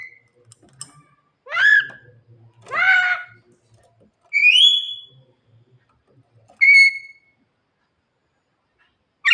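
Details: Javan myna singing at night to call its mate: separate loud phrases with upswept whistles and harsh harmonic notes, a clear rising whistle, long quiet gaps between phrases.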